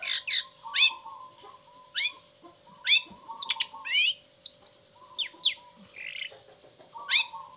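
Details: Long-tailed shrike singing, a lure for lazy or moulting birds: loud steep whistled downsweeps about once a second, scattered twittering notes and level mid-pitched whistles, with a faint steady hum beneath.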